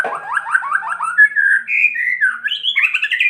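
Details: White-rumped shama in kretekan style, sung to stir other shamas: a quick stuttering trill of rising notes slides into longer whistled phrases that wander up and down in pitch.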